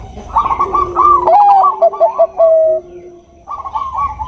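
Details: Bangkok-type zebra dove, a female calling a male; a rapid rolling series of clipped notes that ends in a long smooth note, then a pause and a fresh burst of quick bubbling coos.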